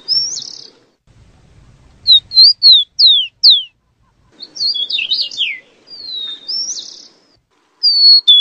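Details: Rufous-collared sparrow giving high, clear slurred notes, mostly falling in pitch, in quick groups with a jumbled burst in the middle. A faint low rumble sits beneath.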